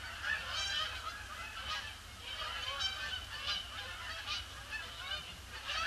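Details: Canada geese arriving in great numbers on Boxing Day, circling the pond before they land; loud overlapping honks rise and fall in bursts, some calls standing out clearly above the flock.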